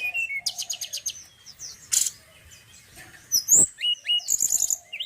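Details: Male forktail with a good song, giving mixed high phrases: clicking trills, piercing thin whistles and short downslurred notes, separated by brief quiet gaps.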